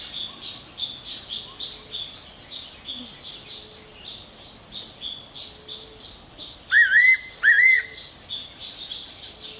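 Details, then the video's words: Fairy pitta calling: two loud, clear whistled notes close together, each sliding upward, over a steady background of rhythmic insect-like chirping and faint high trills. "Fairy Pitta."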